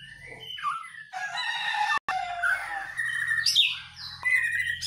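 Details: White-rumped shama, a caged bird being dew-conditioned and heard singing energetically: varied whistled phrases, rich warbles and harsh notes spread across a wide pitch range, with a steady low hum underneath.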